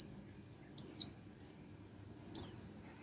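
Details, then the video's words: Three piercing, falling tsee notes from a month-old Oriental white-eye, sharp onsets and brief tails, with faint low hum behind. "burung pleci 1 bulan"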